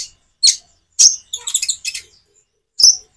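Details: Common iora song with natural pauses, used as a lure to get kept birds that rarely sing to answer: short high chirps come in separate bursts, then a quick cluster of twittering notes, then a pause before one more chirp.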